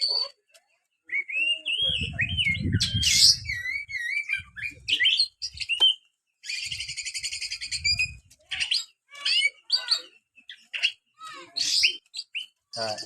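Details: Kacer, the white-rumped shama, kept as a cage bird, singing loud varied whistled phrases with rising and falling notes, trills and buzzy harsh bursts, some low rumbling noise underneath.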